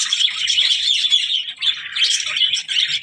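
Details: Budgie warbling in a fast string of bright, squeaky chirps and short whistles, run together without pause.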